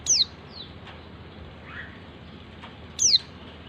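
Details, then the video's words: White-eye female calling the male, intended to stir a quiet male into song: two shrill whistled notes dropping quickly in pitch, three seconds apart, the first followed by a softer echoing slur. "pleci betina memanggil jantan"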